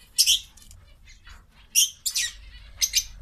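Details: Domestic quail eating vegetables: short bursts of bright, high chirps arrive in three groups, separated by quiet gaps with faint pecking noise.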